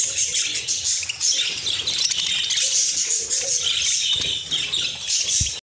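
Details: Group of caged budgerigars excited by fresh corn in the cage, continuous shrill chirps and rapid warbling chatter overlapping throughout, ending with a low thump.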